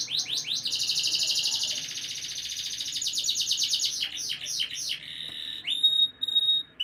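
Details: Canary singing to condition females for breeding: quick descending chips lead into a long dense high roll, then sweeping slurred notes and a final pure sustained whistle.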